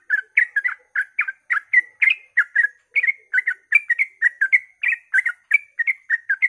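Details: Sooty-headed bulbul singing rapid 'ropel' style song at dawn, used to prompt other bulbuls to sing; quick run of short chirpy, slurred notes repeated several per second, continuous throughout, no other sounds.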